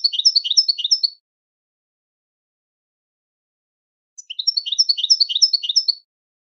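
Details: Singing European goldfinch used to train birds to sing, giving two bursts of fast, high, tinkling twitter, each about a second or two long of rapidly repeated chirps, separated by three seconds of silence.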